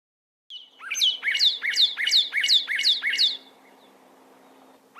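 Northern Cardinal song: a rapid run of seven clear, down-slurred whistles, about two per second, bright and ringing over faint background hiss.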